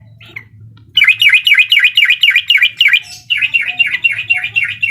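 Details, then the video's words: Sooty-headed bulbul singing in the uklik style, meant to rile a rival. After a brief quiet start comes a fast run of chirpy, bubbly notes repeated about four times a second, with a low steady hum underneath. "SUARA TRUCUKAN UKLIK BIKIN LAWAN EMOSI DAN LATAH!!"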